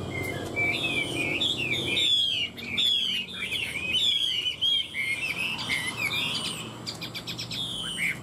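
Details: Two caged Chinese hwamei, tamed three years in the cage, singing in the competitive hót đấu (fighting song) style. Rich, varied, loud whistled phrases with quick slurred and trilled notes run almost without pause, over a low background rumble.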